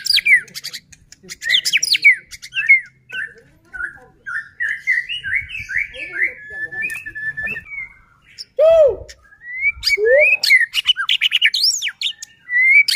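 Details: Lure song of a white-rumped shama, played to make other shamas sing; long varied sequence of fluty whistles and quick trills, broken by short pauses, with a few lower swooping notes near the middle.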